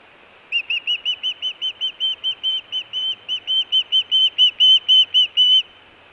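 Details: Nesting osprey in Montana, June 24, 2017, food or alert calling: evenly paced whistled notes about twice a second that grow steadily louder over five seconds.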